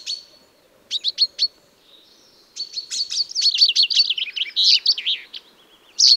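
A common chaffinch gives a few bright chips, then a fast, cascading run of high notes that drops in pitch and ends with a sharp flourish.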